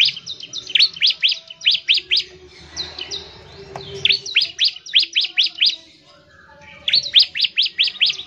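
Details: Ciblek (bar-winged prinia) singing in rapid excited volleys meant to draw other prinias into song: repeated sharp descending chips in dense runs, a brief quieter spell midway, then renewed bursts.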